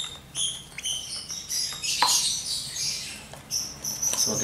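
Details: One-month-old lovebird chick being hand-fed from a syringe with finely blended feed; thin, high squeaky chirps come in short bursts and some are drawn out, alongside soft indoor speech and handling noises.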